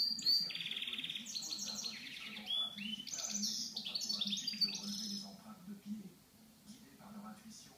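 A goldfinch mule sings a fast, bright twittering song of high trills and tinkling notes over a steady low hum.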